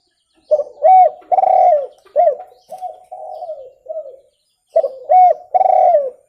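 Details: Spotted dove calling clearly, recorded as a lure for birds: a full phrase of several throaty coos, the last ones softer and falling, a short pause, then the phrase starts again with loud coos.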